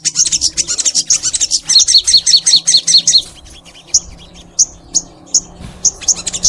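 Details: Crimson sunbird in full song for a master recording used to encourage kept sunbirds: a fast run of high, regular chipping notes for three seconds, then single sharp high chirps spaced about half a second apart.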